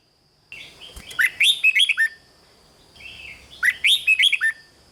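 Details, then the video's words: Red-whiskered bulbul from Thailand singing to excite caged birds: two cheerful phrases of fast, tumbling, slurred notes about two and a half seconds apart, with low background rumble and a steady high tone. "เสียงนกกรงหัวจุก ร้อง ริก เปิดให้นกฟัง ยั่วให้นกคึกจัด"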